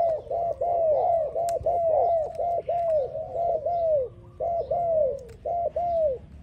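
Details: Mellow cooing of a spotted dove, paired and single arched notes rolling on at roughly one per second with short breaks near the end, loud and close over a soft low rumble and an occasional click.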